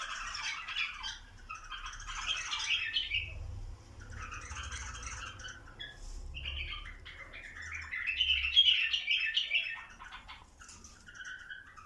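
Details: Bulbuls being encouraged toward mating: repeated bursts of squawky, chattering song separated by short pauses, loudest near the end, with a low rumble beneath.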